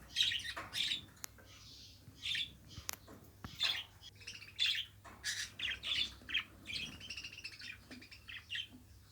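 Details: Budgerigar kept as a pet produces a long stream of short, grating chirps and squawky notes in uneven bursts, with a few sharp taps in between.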